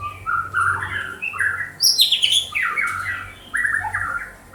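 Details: White-rumped shama from Banda Aceh singing varied phrases: mid-pitched whistles leading into a high, sharply descending cascade of slurred notes, then lower warbles.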